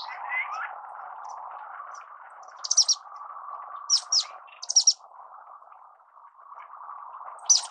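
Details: Orange-cheeked waxbill (Estrilda melpoda) singing: short clusters of very high, thin chirps, some doubled, come in bursts near three, four and five seconds and again at the end, over a steady low background hum.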